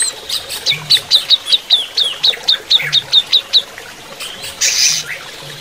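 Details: Greater green leafbird during running-water therapy, giving a series of about twelve sharp, downslurred high notes evenly spaced. A pause follows, then a brief noisy rush.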